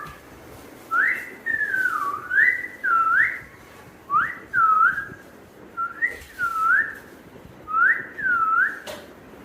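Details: Parrot whistling: clear two-part phrases, each a quick rising note followed by a dipping, looping note, repeated about six times with short silent gaps in a quiet setting.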